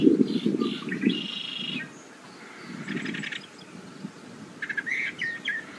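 Northern Mockingbird singing a varied run of short phrases, some buzzy, some clear and chirpy, each shifting in style. Wind rumbles, and red-winged blackbirds sound faintly far off.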